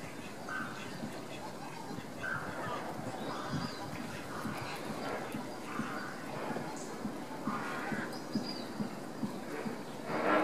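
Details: Lesser flamingos stamp-feeding give nasal, honking calls, short and repeated, overlapping from many birds, over a steady low rumble of splashing and shuffling.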